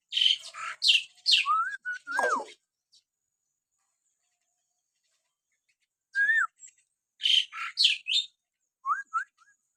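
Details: Common hill myna whistling, played to stir pet mynas into singing: clusters of harsh high chips and shrieks mixed with short clear slurred whistles, in two bursts separated by a long silent pause.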